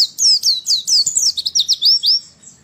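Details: Brief, nonstop stream of shrill, high white-eye chirps, a female's voice used to provoke males into song. About a dozen quick downslurred whistles follow one another in under three seconds.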